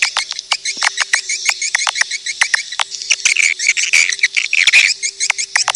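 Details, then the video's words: Swiftlet lure call of the edible-nest swiftlet: quick high twitters and sharp clicks in irregular runs, denser and more continuous toward the end, over a faint steady hum. "suara panggil burung walet"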